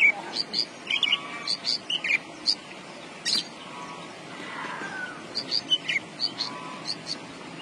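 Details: Javan bush lark delivering a varied song of bright, high chirps and short twittering notes in quick runs, a quieter stretch mid-way with a faint low murmur, then another burst of crisp notes.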